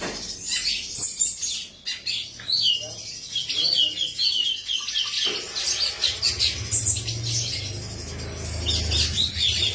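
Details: A male cucak cungkok sings a busy run of high chirps and trills, with sharp twittering notes throughout and a low hum in the background during the second half.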